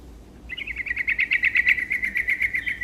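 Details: Yellow-vented bulbul singing energetically to provoke rival birds: a long, fast run of rhythmic bubbling notes, roughly ten per second, holding a steady medium-high pitch for over two seconds.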